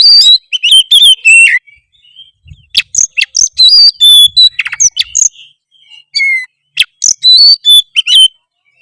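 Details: Oriental magpie-robin in full, vigorous 'gacor' song, said to make other magpie-robins respond: loud bursts of sharp whistles, chirps and rapid trills, some rising, others sliding down, in two dense runs separated by a near-silent gap.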